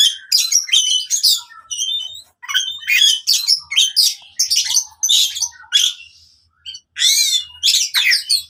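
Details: Oriental magpie-robin fighting song, played to revive singing in silent birds: loud separated bursts of scratchy high notes and whistles, a pause, then rippling harsh phrases.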